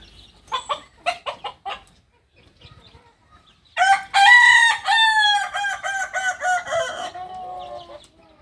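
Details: Short clipped clucks repeated about every quarter second, then a long, loud crow from a kukuak balenggek, the singing chicken of Solok, West Sumatra, rich in harmonics and breaking into a stuttering run of repeated notes.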